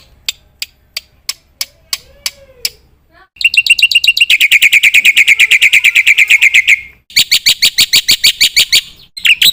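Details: Spaced sharp ticks followed by a Black-winged myna's long rapid stream of buzzy chattering notes, a short break, then more fast repeated chirps.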